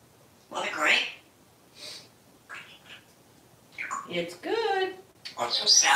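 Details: Pet parrot indoors talking to its plushie toy, speaking in human-like words with a food list of celery and broccoli; short voiced phrases with breathy bursts and rising, harmonic syllables, separated by brief pauses.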